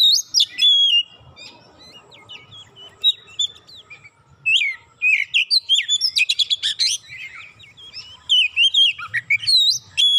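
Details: Oriental magpie-robin (kacer) singing excitedly after a single provocation, unloading its repertoire of learned fill phrases (isian): varied whistled notes, sharp up-and-down slurs and rapid chattering bursts, with a dense rattling run near the middle.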